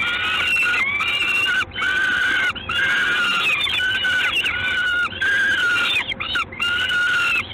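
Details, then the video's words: Peregrine falcon at the LOTOS site in Gdańsk, Poland, on 3 June 2016 at 19:47: drawn-out, harsh, harmonic wailing notes, each about a second long, following one another with brief gaps over steady background hiss. "Sokół wędrowny"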